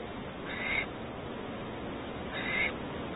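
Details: At a Starr Ranch barn owl nest in California, 2019, while the male delivers a rat: two rasping, hissy bursts about two seconds apart against a constant low rumble.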